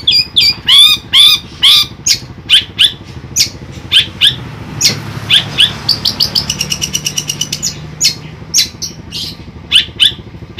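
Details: Pet long-tailed shrike from Ampelgading, Central Java, Indonesia, giving arched ringing squawks, clipped sharp notes and a long rapid rattle, with passing vehicle noise in the background.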